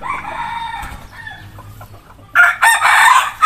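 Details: Hybrid red junglefowl decoy rooster from a breeding flock, standing and showing off; after a softer, lower hoarse vocal opening, a loud harsh crow bursts in near the end, broken into rough segments and cut off.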